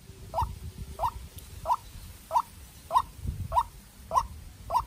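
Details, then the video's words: Young captive-bred White-breasted waterhen used as a decoy, confronting a wild waterhen: eight short, evenly spaced notes, roughly one every 0.6 seconds, with low-pitched rustling and rumble underneath. "Quốc Mồi Tơ Ra Trận Gặp Bổi Rừng Đấu Cực Căng"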